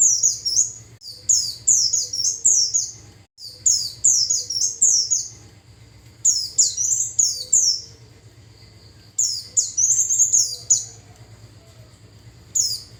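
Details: Lure song of a Japanese white-eye for attracting wild birds: rapid clusters of thin, high, down-slurred chirps and brief twittering runs, broken by short gaps, with a steady low background hum.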